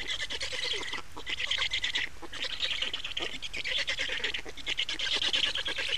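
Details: Black storks at their Estonian nest on 28 May 2019 during changeover and feeding; loud wheezy, pulsed calling with short breaks after the first and second seconds, then nearly continuous.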